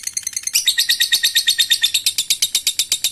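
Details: Three seconds of a lovebird's long ngekek trill, a fighter's chatter to trigger other birds: soft opening chips, then a fast, ringing, shrill rattle of evenly repeated notes.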